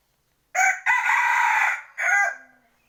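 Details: White-and-yellow decoy rooster kept for contests, recorded 25/2/20, giving a loud hoarse crow: a short opening note, a long sustained harmonic middle, then a final rising syllable, with a quiet background.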